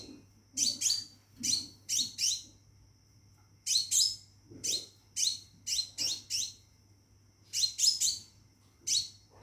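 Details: Caged scarlet minivet calling to a female to mate: sharp, bright downslurred notes delivered in pairs and triplets with short pauses between bursts, over a steady high electronic whine and low hum.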